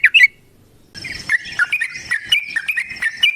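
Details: Yellow-vented bulbul in fighting song: a short bubbly note pair, a brief silence, then a continuous warbled stream of gurgling, slurred notes over a faint background hiss.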